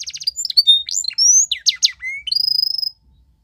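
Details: Belgian canary training song made of fast chips, short whistles and slurred notes, a rising whistle, and a rapid pulsing trill on one high pitch before silence.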